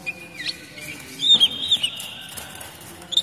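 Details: Oriental magpie-robin song used to lure young wild birds and to prompt moulting birds to sing: a thin sustained whistle, then a quick cluster of slurred, rising whistled phrases and a final sharp note, over faint background hum.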